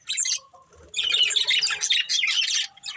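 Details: Budgerigars of a breeding pair in a brief chirp, then a dense, continuous high twittering warble that runs almost unbroken for two seconds.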